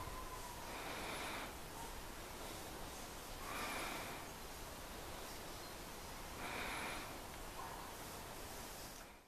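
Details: Taiga flycatcher (Ficedula albicilla) at IIT Guwahati, India, giving dry, rattling trrrt calls about every three seconds, with faint higher notes, over a steady hiss of background noise.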